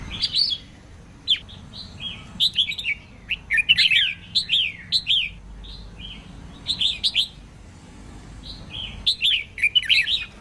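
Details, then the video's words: Red-whiskered bulbul hen singing to push males into excited song and restore their form. Busy, continuous chatter of rising and falling warbled phrases in several rapid clusters. "chào mào mái hót kích trống căng lửa"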